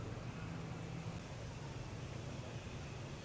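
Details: Low engine rumble with steady wind noise, and no animal calls heard.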